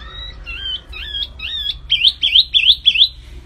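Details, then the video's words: Energetic flamboyan bird, a 'gacor' singer for training recordings, giving twisting whistled phrases that grow louder and quicker, ending in five crisp looping notes in fast, even succession. "SUARA BURUNG MIRIP FLAMBOYAN GACOR"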